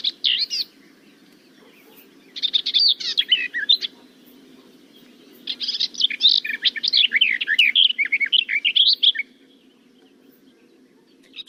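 Garden warbler singing long, rich, rapid warbling phrases of mellow chattering notes, two bursts separated by pauses; a faint low hum underneath.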